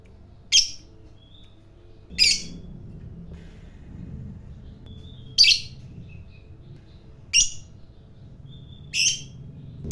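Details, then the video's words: Fighter-type lovebird, kept for its long chatter that stirs up other lovebirds: five sharp, shrill squeaks spaced about two seconds apart, with faint thin tones between them over a quiet low hum. "Suara Burung Lovebird Fighter Ngekek Panjang"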